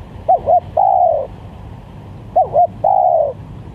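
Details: Spotted dove coo used as a lure, a wavy two-note start followed by a long gently descending coo, the full phrase repeated twice about two and a half seconds apart.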